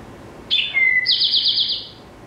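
Eastern Towhee song: a sharp high note, a lower steady whistle, then a fast buzzy trill, the classic 'drink your tea' pattern.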